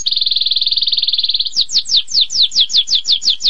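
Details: Canary song moving from a quick, tight, high trill into slower, clearly separated down-slurred whistled notes repeated about four times a second.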